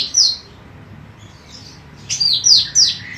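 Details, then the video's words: Female cucak rante singing vigorously, recorded as training material for other birds: one sharp, descending whistled note, a pause, then three quick high whistles, each sliding downward. "MASTERAN BURUNG CUCAK RANTE EMAS BETINA GACOR"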